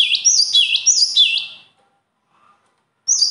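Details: A bird sings a rapid run of high, clear, repeated phrases, each a bright note followed by a lower curved swoop. The run lasts about a second and a half, then quiet, then the song starts again.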